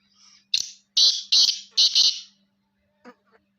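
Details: A 5-month-old black francolin calls at close range with a loud run of five rasping, clipped notes in under two seconds. The notes bunch into pairs, and a couple of faint ticks follow over a low background hum.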